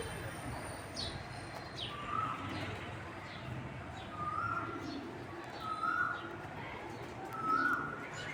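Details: Domestic pigeons in spring give low, soft coos every two seconds or so, under a brighter repeated whistled note from a cuckoo and a steady outdoor hiss.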